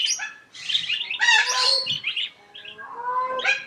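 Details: Palm cockatoo (Probosciger aterrimus) giving harsh, grating squawks and rasping chatter that repeat in quick bursts over a few seconds, with a couple of drawn-out, nasal tones between them.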